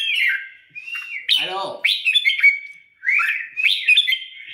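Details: Caged red-whiskered bulbul being trained for an upcoming singing competition, delivering short clear whistled phrases with sliding, warbling notes in bursts separated by brief pauses, a harsher rasping note in the middle.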